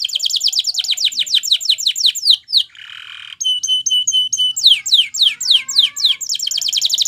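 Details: Canary singing a training song, Spanish Timbrado style: fast trill of descending notes, a brief harsh noisy burst, a few thin steady whistles, then renewed sweeping descending notes repeated rapidly.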